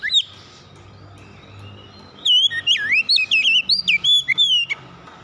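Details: Kacer, the oriental magpie-robin, opens with a short whistle, falls quiet under faint background hum, then delivers a rapid string of rich, swooping whistled notes with sharp upward and downward slurs for nearly three seconds.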